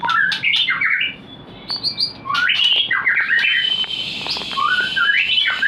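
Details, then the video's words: White-rumped shama song used to bring a breeding bird into condition: quick chirped notes and rising whistled slurs, then a long sustained high whistle overlaid by fluttering phrases that climb in pitch. "Pancingan untuk burung Murai Batu Breeding / menaikkan birahi"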